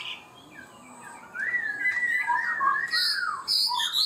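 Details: Chinese hwamei in a cage singing a high-pitched song that starts quickly and holds steady. After a quiet opening, it gives a long, wavering whistled phrase, then sharp, very high bright notes.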